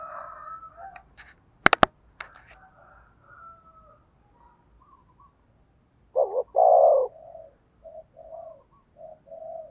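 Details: Spotted dove decoy cooing to attract wild doves: sharp clicks and scattered noise at first, then one loud double-note coo phrase followed by soft, short coos.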